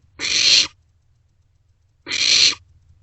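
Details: Young barn owls sharing a vole inside a nest box at night, 27 March 2024; two drawn-out rasping hisses nearly two seconds apart with faint rustling between.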